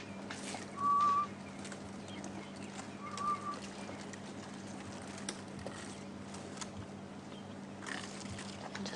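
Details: Two distant grey-headed bushshrike (Malaconotus blanchoti) 'ghost bird' whistles, each a short, even, mid-pitched note about two seconds apart, on a chilly 17°C sunrise in the African bush, over a steady low engine-like hum and faint background noise.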